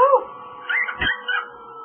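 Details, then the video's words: Pet male cockatiel talking, mimicking a French greeting: a brief burst of harmonic, voice-like warbles with rising and falling inflections, followed by a short click and a few slurred tones, indoors. "talking and singing jingle bells"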